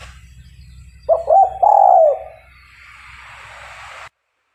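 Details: Spotted dove used as a lure bird for trapping wild doves gives a short rolling coo, a few quick stuttered notes leading into a longer drawn note, followed by a soft hiss of background noise.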